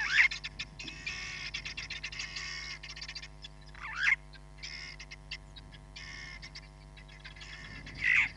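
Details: Live-camera recording of a Hamerkop at Nkorho Bush Lodge, 31 July 2021. Patches of rapid, high, rattling pips alternate with three sharp, squeaky, falling calls spread across several seconds, over faint steady hum.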